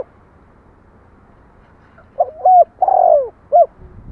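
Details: One cooing phrase from a spotted dove after a quiet start: quick short hoots, then a long downward-sliding coo and a brief clipped closing note, with low rumble at the end.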